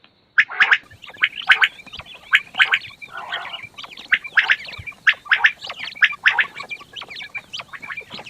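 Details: Fat quails calling in the morning: harsh, clustered chattering notes in quick bursts about once a second, several birds overlapping and forming a dense, continuous, scratchy chorus.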